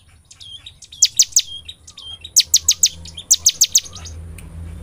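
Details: Bar-winged prinia singing in a strident, insistent style, used as a lure to make other prinias sing: three rapid clusters of three or four sharp high notes, with softer twitters and a steady low hum beneath.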